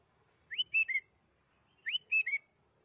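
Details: Lure song of a sooty-headed bulbul meant to trigger singing: two matching three-note phrases, each an upslurred whistle followed by two level, liquid notes, about one and a half seconds apart.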